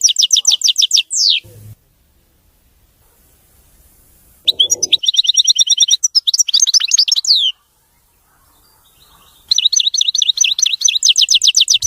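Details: European goldfinch singing clean, mistake-free song: buzzy trills and a falling slur, a pause, then long runs of rapid twittering, rolling trills and swept notes, ending in another extended buzzing trill.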